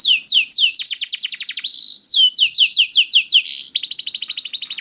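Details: Canary song from a young bird (kenari paud), used to get reluctant canaries singing: quick sequences of falling whistles, a buzzy held note, and fast high trills in varied phrases.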